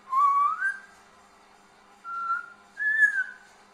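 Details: A green talking parrot gives three clear whistled phrases in under four seconds: a long rising, sliding note, then two shorter steady whistles, over a faint low hum.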